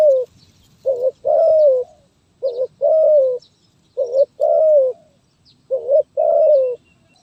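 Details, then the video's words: Spotted dove giving a 'gagap tindan (sepatah)' stutter song on 23 January 2022: four clear phrases, each a short hiccuping coo then a sustained slightly falling coo, roughly every 1.6 seconds, with faint high chirps in the background. "Burung Terkukur Gagap Tindan (Sepatah)"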